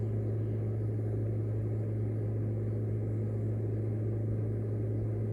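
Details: A steady low engine-like hum and rumble, with no animal voices heard.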